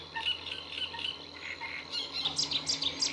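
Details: Great reed warbler at the Lagunas de La Guardia, Toledo, 30 April 2022, delivering loud, rhythmic strings of rasping notes, then higher, sharper repeated phrases in the second half, with faint low hum beneath.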